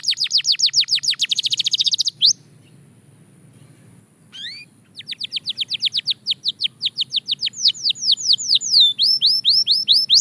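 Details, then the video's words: Belgian canary singing in a training routine: a quick run of falling whistled notes breaks off into near silence for two seconds, then resumes with a long series of descending sweeps speeding into high trills. "Shocking Canary Singing Progress – You’ve Never Heard This Before!"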